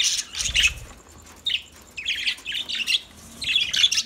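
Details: Lovebirds singing: scattered shrill squeaks and short bursts of raspy high chatter broken by quiet pauses, ending in a louder squeaky flurry.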